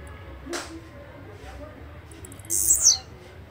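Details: A soft click, then one high, buzzy, downward-sliding song phrase of a blue-black grassquit lasting about half a second.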